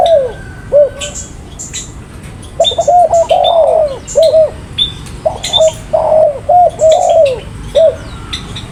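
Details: Spotted dove calling in repeated phrases of quick low coos ending in a falling note, over frequent high chirps from other birds.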